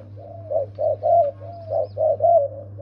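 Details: Spotted dove cooing: a run of short, mellow, low coos in quick paired and grouped notes, some with a slight rising slide, over a steady low electrical hum.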